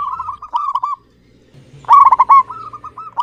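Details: Local-type zebra dove with a clear, frequent song: a soft rolling coo sequence, a short silence, then a loud rapid stuttering phrase that settles into evenly spaced gentle coos.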